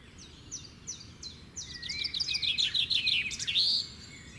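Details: Birds singing naturally: a series of high, quick down-slurred chirps, then a rapid jumbled twittering phrase with a rising whistle, over steady low background noise.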